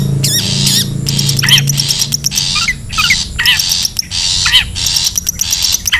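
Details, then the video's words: A recording of a wild long-tailed shrike used for luring: grating bursts and wavering whistled notes alternate over a low steady hum in the first seconds. "SUARA ASLI PIKAT CENDET,PENTET ALAM LIAR"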